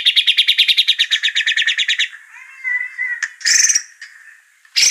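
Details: White-rumped shama lure song meant to provoke singing: a rapid rhythmic trill lasting two seconds, soft warbling whistles, then harsh rasping bursts.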